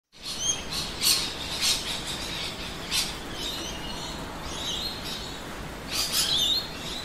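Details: Rainbow lorikeets in Australia, feeding: shrill, screechy chirps and short squeaky notes in scattered bursts, several overlapping, over a steady background hiss.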